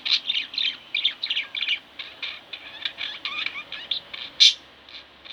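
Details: Two pet budgerigars twittering steadily, a stream of short bright chirps and warbles, ending with one sharp loud squeak before quieter notes.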